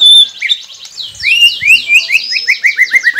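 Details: White-rumped shama song for coaxing captive birds into song: a high opening whistle, then an even, accelerating series of rising slurred notes repeated several times a second.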